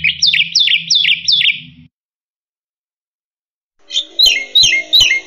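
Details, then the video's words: A black-winged myna sings energetically in full song, used as a model for training other birds: loud, slurred descending whistles, four in quick succession, then a pause and a second burst of harsher repeated phrases. "Suara Burung Jalak Putih Gacor Full Isian"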